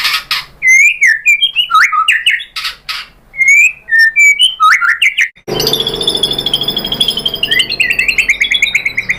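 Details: White-rumped shama singing to provoke rival shamas: varied whistled phrases and sharp chips, then an abrupt shift to a long, fast, steady trill of rising notes over a noisier background.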